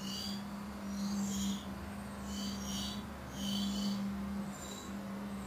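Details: Great tit nestlings in a nest inside a barbecue, just after being fed and having droppings removed by the mother, give high, hissing, wheezy begging bursts in waves about every second or two, over a steady low electrical hum.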